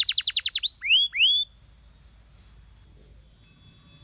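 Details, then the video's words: Singing canary, song meant to encourage other canaries to sing: a rapid run of seven sharp descending notes, then two rising whistled slurs, then near silence with a few faint high chips. "Canaries seduce friends to sing!"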